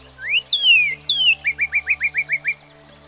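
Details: Northern Cardinal, a common American backyard bird, sings: a rising whistle, two loud downslurred whistles, then a quick series of about nine short upslurred chirps, clear and ringing against a quiet background.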